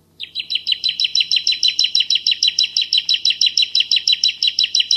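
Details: A bar-winged prinia of the Javan form delivers dense, clear 'shot' style song: a steady stream of high, crisp chip notes roughly six per second, evenly spaced and unbroken, over a faint low hum.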